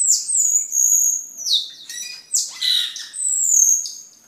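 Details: High, shrill cucak keling whistles for training caged birds and luring: sustained piercing notes broken by sweeping downslurs and a harsh rasping burst, then another long whistle.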